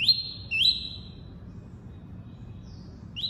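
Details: Double-collared seedeater singing the tuí-tuí song type: long high whistled notes with quick upward-sweeping slurs, a pause of silence, then one more whistle, over a low background hum.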